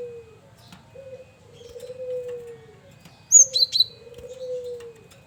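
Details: Male cinereous tit singing a varied lure song: a sudden quick cluster of high, thin whistled chirps set among slow, steady dove coos.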